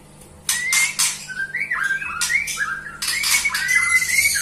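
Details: White-rumped shama singing: loud harsh scratchy bursts alternate with fluid, dipping whistled phrases, the song growing fuller toward the end, over a low hum.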